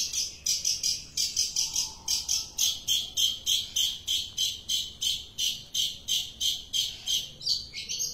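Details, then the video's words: Long-tailed shrike giving a long, steady run of rasping, buzzy notes, roughly three per second, loud and evenly paced throughout. "cendet gacor manteb banget"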